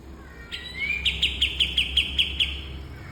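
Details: Bulbul singing for cage-bird training: a rising whistled glide opens, followed by eight crisp, high, evenly spaced chirps in quick succession over a soft low hum.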